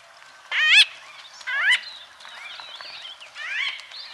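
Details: White-fronted bee-eater in Kenya giving nasal, harmonic-rich calls: three loud rising-then-dropping squawks, the first two strongest, with softer chattering notes between them.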